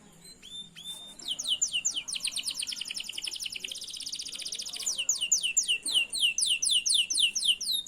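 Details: Canary song used as a lure to teach other canaries to sing: a few thin whistles, then long fast trills of high descending notes, followed by slower repeated downslurred phrases about twice a second.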